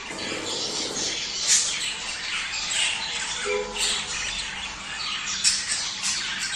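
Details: Budgerigar song played to stimulate mating: continuous, dense chattering warble of scratchy, high notes, with brief louder squeaks near the start and toward the end.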